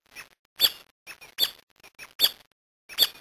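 Brasilia tapaculo giving sharp, squeaky, high chips in short bursts, roughly one every half second at an uneven pace, with quiet gaps between.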